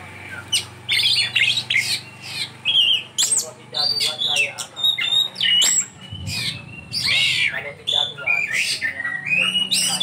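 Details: Kacer, or Oriental magpie-robin, pouring out a varied 'isian' song of sharp chirps and whistled phrases in steady bursts over a faint low hum.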